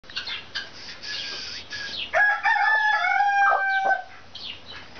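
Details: Brahma chicken: a rooster's drawn-out crow with a stepped, wavering tone lasting about two seconds, preceded by scattered clucks and chirps from other birds.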